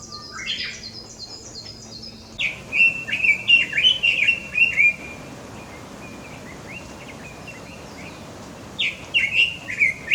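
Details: A breeding male red-billed leiothrix (Leiothrix lutea) in Japan in spring to early summer sings for courtship and territory: a fast, bright warbled phrase of slurred, rolling whistles, repeated after a pause, with thin high notes from another bird at the start.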